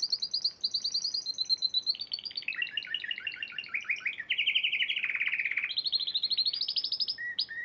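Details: Spanish Timbrado canary, a champion of the Piala Raja singing competition in March 2014, sings an unbroken string of fast metallic trills. The rolls shift from high to lower pitch and back, with a brief short note at the end.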